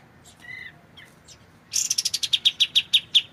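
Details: White-shouldered triller tutor recording: faint soft notes and a brief flat whistle, then a loud burst of rapid repeated chirps, roughly a dozen, against a slightly hissy background.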